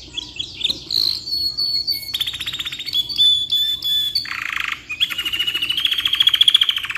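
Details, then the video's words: Long song of a caged canary kept as a tutor singer: varied phrases with rapid trills, sustained rolling notes, a harsh buzzy burst, then a fast, steady rolling trill that swells toward the end. "GACOR KICAU PANJANG COCOK BUAT MASTERAN"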